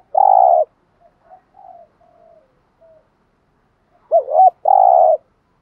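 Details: Lure cooing by a spotted dove, thúc gù style, to make wild doves respond: a long buzzy coo, several faint short soft coos, then a doubled warbling note and another long held coo.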